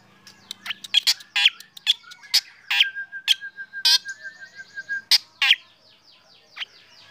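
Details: Lively morning chorus led by a sunning black drongo, other birds joining in: rapid chatter of harsh clicks and buzzy notes, a long even rattling trill, and bright descending whistles near the end.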